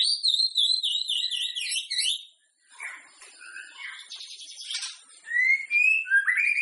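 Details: White-rumped shama song used to prompt other shamas to sing before a singing contest: loud warbled whistles at first, then a quieter stretch of scratchy mixed notes, ending with clear rising whistled slurs.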